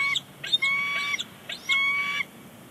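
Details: Pair of bald eagles chattering on their nest at Big Bear Lake on January 30, 2020, before leaving; several clear whistled notes with bright overtones, some short and rising, others held about half a second, in two bursts.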